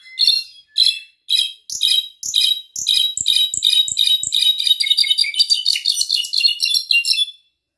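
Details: A brown-backed solitaire, held in the hand, sings high, metallic, flute-like notes that start as spaced bursts about every half second, then speed up into a dense, tumbling cascade.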